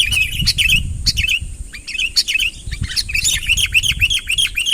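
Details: Sooty-headed bulbul calling a rival to come near, giving rapid chirped phrases of short bubbly notes, several per second, later running into a string of quick downslurred notes; faint low rumble underneath.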